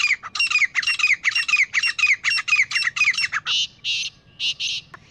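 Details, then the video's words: A pair of grey francolins calling: a fast run of harsh, ringing squawked notes about twice a second, then a few shorter, rougher notes. "Beautiful Sounds of Grey Partridge Pair | تیتر جوڑے کی آواز | Grey Best Francolin Pair Voice"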